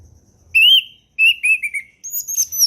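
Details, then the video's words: Orange-headed thrush performing the ngeplong song style as a training model for young birds: a bright drawn-out whistle, then several short whistles stepping downward, finished by high squeaky notes. "SUARA HUTAN ANIS MERAH NGEPLONG SANTAI"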